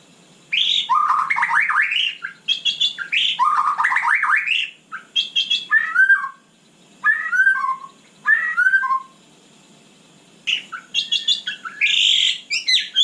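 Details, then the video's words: White-rumped shama singing at night in separate bursts of a second or two. Fluty warbles and downslurred whistles alternate with short quiet gaps, and the final phrases turn scratchier. "Kicau malam murai batu super GACOR"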